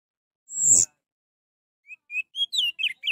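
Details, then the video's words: Orange-headed thrush song used to prompt a silent bird into singing: one sharp, high, slurred note, a pause, then a rapid series of short chirps climbing in pitch and tumbling together. "Untuk memancing Anis merah yang malas bunyi"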